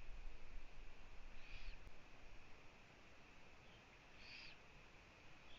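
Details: At a Latvian Eurasian eagle-owl nest on a live camera, 1 June 2017, mid-afternoon, the female visits her owlets. Two harsh, breathy hisses sound about two and a half seconds apart against a constant low hum.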